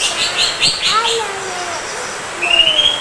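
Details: Greater green leafbird, a kept songbird, singing: a burst of rapid chirped notes near the start, then slurred downward whistles, ending with a rising whistled phrase; quiet background otherwise.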